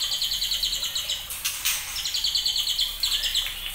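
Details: Young white-rumped shama just over two months old, bred from champion-line parents, giving trotolan song: rapid high chattering notes repeated about three per second, a short burst of noise midway, then the stuttering run resumes.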